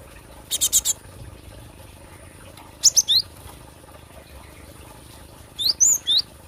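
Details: Cinereous tit, a recording for luring or song training: three spaced phrases of rapid buzzy rasps, the later two ending in high twisting whistled notes, with quiet gaps between.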